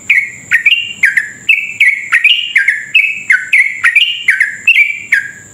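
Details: Sooty-headed bulbul in continuous rapid 'ropel' singing, used as a lure for other bulbuls: an unbroken series of loud, clipped chirps, each starting high and dropping, around three per second, with a thin constant high whine behind.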